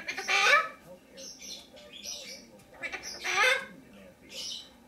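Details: Pet lesser sulphur-crested cockatoo giving loud, harsh broadband screeches in two bursts about three seconds apart, indoors, while a pet macaw talks in the background.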